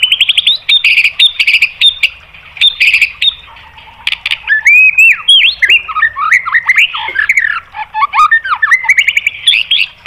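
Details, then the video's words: Varied White-rumped shama song meant to goad other birds into singing: harsh chattering notes give way to rich, warbling whistled phrases with quick slurs and squeaky flourishes. "MASTERAN MURAI BATU memancing EMOSI JADI NYAUT"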